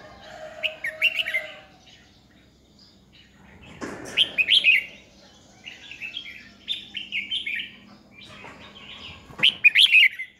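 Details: Red-whiskered bulbul decoy bird in competitive singing, used to train and provoke other bulbuls to sing, recorded 2020. Bursts of bright, warbled, chirpy phrases come in three clusters separated by quiet gaps, with a few sharp thumps between them.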